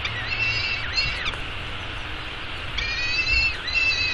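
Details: Baby peregrine falcon fed breakfast at a downtown Arizona webcam nest, 24 May 2016, giving long, drawn-out harmonic wails with dips and bends, two extended calls separated by a brief pause, over background hum.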